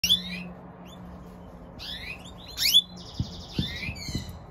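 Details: A European goldfinch hybrid (mule) just out of the nest gives thin, high chirps and twittering notes in short bursts indoors, with a faint low hum and a few soft knocks.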